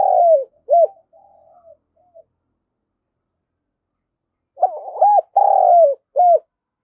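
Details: Spotted dove coos used to excite a decoy bird into calling: a falling coo and short note, faint trailing murmurs, a pause of over two seconds, then a stuttered intro, long drawn coo and crisp final note.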